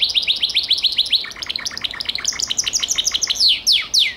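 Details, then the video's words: Gloster canary delivering fast bright repeated notes, shifting to a lower, stuttering rattle, then closing with two loud, drawn-out descending swoops. "CANARIO GLOSTER"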